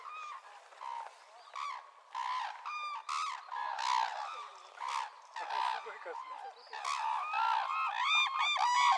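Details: Red-crowned crane (Grus japonensis) calling in irregular bursts of honking, trumpet-like notes. Some notes are higher and more strident, and the calls grow louder and denser toward the end.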